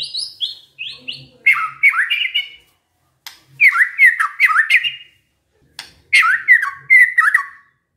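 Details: White-rumped shama imitating canary phrases in short bursts of harsh, rapidly falling chattering notes, separated by brief silences.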